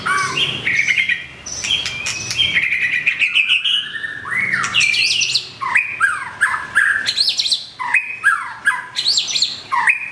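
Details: Long-tailed white-rumped shama singing fast and varied: rising and falling whistles, rapid clicking bursts and mimicked-sounding phrases that run almost without pause, loud and close.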